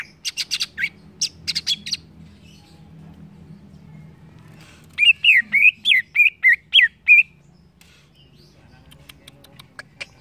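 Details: Green leafbird song: a few buzzy high notes, a quiet gap, then a rhythmic string of about eight clear whistled notes, followed by faint ticking.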